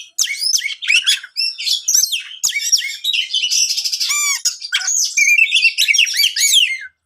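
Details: Energetic song of a champion kacer, or Oriental magpie-robin, played to make other magpie-robins agitated: continuous bright whistles, swooping slurs, buzzy rattles and mimic-like chatter with barely any pause.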